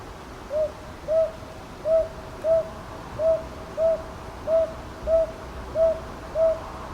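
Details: Ten soft, repeated hoots, paired and regularly spaced, from a northern boobook at Ichijoji in Kyoto's Sakyo Ward on 22 May 2023, recorded with a TASCAM DR-100MKIII; low steady ambient hum underneath.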